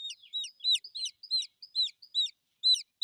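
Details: Baby chick chirps for the mother hen with quick, sharp, high peeps that slide downward, several per second in uneven clusters, against complete silence otherwise.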